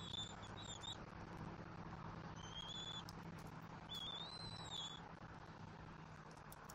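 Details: Bald eagle eaglet at a Southwest Florida nest, 5 February 2024, during a fish feeding by its parents: three thin, high whistled calls with slight upward inflection, spaced over about five seconds, over a steady low hum.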